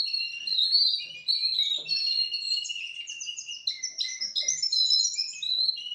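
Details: Russian canary, four months old, pouring out a dense, continuous warble of rapid high chirps, trills and slurred whistles.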